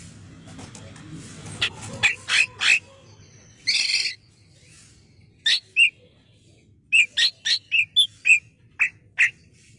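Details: Male bulbul, locally called cucak kinoi, recorded for song training: a noisy, rustling opening, then loud high chirps, one harsh buzzy burst near four seconds, and a quick string of sharp, clear notes toward the end.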